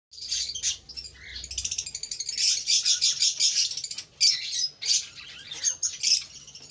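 Cockatiel chicks give dense, scratchy high chirps and buzzy rasping notes in rapid overlapping bursts, nearly continuous with brief pauses.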